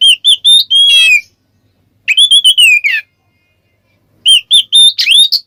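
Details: Oriental magpie-robin ngeplong song played to provoke other birds: three bursts of loud clear whistles with wavering and falling slurs, separated by about a second of silence.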